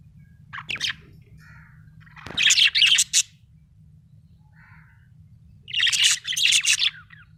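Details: Happy budgerigar chirping in scratchy, rapid bursts of high chatter around two and six seconds, with quieter short whistles between, over a constant low background hum.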